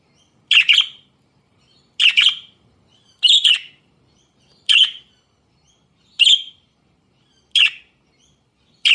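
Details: Pet budgerigars outdoors, eating parsley: short bright chirps, each a quick double or triple burst, repeated about every one to one and a half seconds with silence between.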